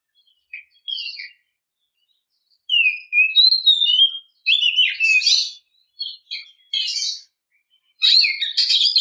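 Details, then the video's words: Oriental magpie-robin female calling to provoke males: sparse short chirps at first, then a downslurred whistle and bursts of mixed whistles and rasping chatter in separate phrases with brief gaps, ending on a loud scratchy flourish. "kicau burung kacer memanggil - pancingan kacer agar bunyi"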